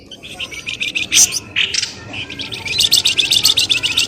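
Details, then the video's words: Noisy bird lure calls used to draw birds out of bushes: bursts of high, sharp chirps, then a fast run of rhythmic repeated chirps toward the end. "SUARA PIKAT BURUNG pelamboyan ribut"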